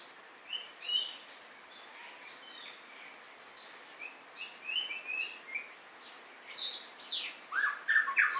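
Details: White-rumped shama song: a varied run of short clear whistled notes and rising slurs, some paired, then louder buzzy and rich phrases near the end, with a steady hiss of background noise.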